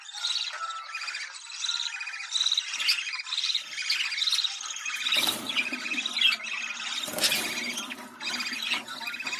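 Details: Budgerigar call meant to stimulate mating: steady chattering warble of chirps and trills, interrupted midway and near the end by loud broadband rattling or clattering noises.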